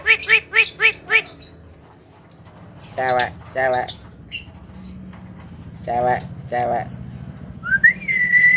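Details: Javan myna mimicking human speech: clusters of stacked, voice-like syllables, several short high whistled notes at the start, and a rising whistle at the end over a low steady hum.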